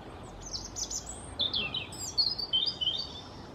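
European robin singing a high, thin, wavering phrase of sweet trills and sliding whistles, some notes dropping in pitch; faint background hiss.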